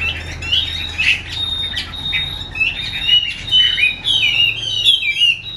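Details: Caged female Chinese hwamei used to excite male birds, uttering 'te dụ' calls; quick, irregular whistled and buzzy chirps, some with trilled downward sweeps, roughly two per second, over a faint low hum.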